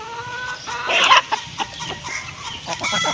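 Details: Hen clucking while eating food, with short harmonic clucks and a louder squawk near one second, amid pecking clicks and rustling.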